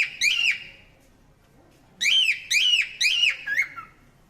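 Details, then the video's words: A parrot gives a lone arched chirp, then falls silent before a run of four rapid, ringing chirps spaced roughly half a second apart, the last one softer and dropping in pitch. The room is otherwise quiet. "super cute parrot chirping sound"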